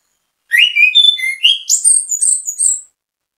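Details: Orange-headed thrush in full, active song, used as a bait recording to make other orange-headed thrushes sing along: a quick run of clear whistled notes climbing from mid to very high pitch, about four notes a second, with no background noise.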